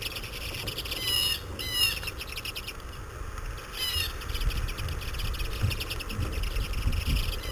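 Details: Common redpolls at winter feeders in Saratoga Springs, New York, during a finch irruption year after over a foot of snow, give quick, buzzy rising twitters in short bursts over a steady low rumble.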